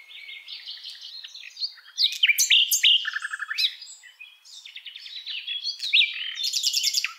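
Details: Varied common nightingale song packed with changing phrases: whistles, harsh chattering bursts, short rapid trills and buzzy rattles follow one another with little pause.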